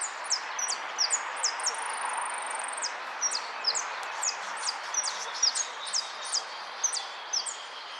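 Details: A goldfinch sings a steady stream of high, sharp downslurred notes, several a second, broken early by a drawn-out thin buzzy whistle, with a broad background hiss.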